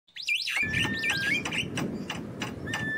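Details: Wild Javan myna giving a quick run of whistled, rising and falling notes, then steady clicking chatter and a flat whistle near the end, over constant low background rumble.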